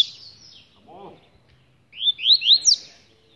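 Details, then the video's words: Hand-held caged rusty-collared seedeater giving a brief run of four bright upslurred whistles after a pause, a faint low sound heard just before. "Coleiro Cantando de gaiola na mão"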